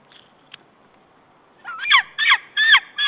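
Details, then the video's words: White-tailed eagle alarm at the nest on 15 April 2013 as intruders approach the nesting territory: after near silence, loud harsh yelping notes with rising and falling pitch, four strong calls in quick succession. "Intruder alarm!"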